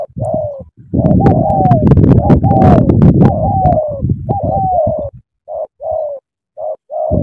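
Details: Spotted dove in Cà Mau, Vietnam: falling two-part coos partly buried under a dense, loud burst of low clatter and noise, then clearer short coo phrases toward the end.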